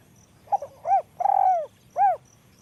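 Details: Spotted dove with a small, high voice giving a cooing phrase: a short hooted note, a long rolling coo that slides downward, then a clean arched coo. Faint insect hum and a high ticking insect in the background.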